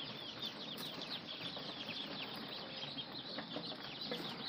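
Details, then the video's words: Several ducklings peep steadily, their high, short, chirping notes overlapping in a constant busy chorus over a faint background hiss. "Anak Bebek ( Duckling)"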